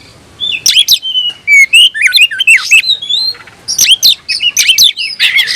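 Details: Kept oriental magpie-robin in rival-seeking song: after a quiet start, crisp whistled phrases, rising slurs and sharp harsh clicks and rasps follow in quick alternation.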